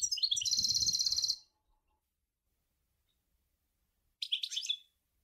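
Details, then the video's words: Sour el gouzlane style goldfinch song: a fast, even, buzzy trill with soft low thuds beneath, then after a few seconds of quiet a brief burst of sharp twittering notes. "Chant Chardonneret sour el gouzlane"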